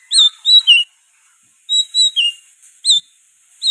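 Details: Oriental magpie-robin delivering loud, continuous song with borrowed sooty-headed bulbul phrases. Short clusters of two or three ringing whistles with a downslurred note are separated by second-long pauses.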